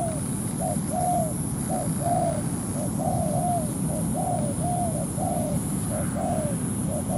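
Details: ['Cooing from a spotted dove kept as a ground decoy for trapping, provoking a wild bird to come down and fight. Paired hoarse coos, short then long and falling, run in an even series against a steady low hum and a high whine.']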